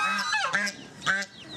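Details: Geese trying to attack a wild boar, calling with loud, rasping nasal honks: a long honk, a quick sharp one, then another after a brief pause.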